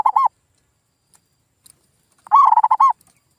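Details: Rapid mellow cooing of a zebra dove, a clipped phrase end and then one complete rolling phrase about two seconds later, a lure sound for stirring local birds to reply.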